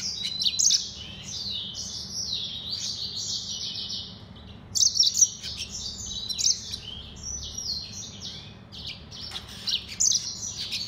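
A Mozambique serin and canary hybrid sings a fast, high, twittering song of rolling trills and bright chirps, pausing briefly mid-phrase. A faint low hum sits underneath.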